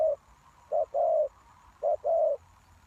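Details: Spotted dove used as a lure for wild doves, giving a soft, low coo followed by paired hollow cooing notes, with the second note of each pair longer, over a quiet background hum.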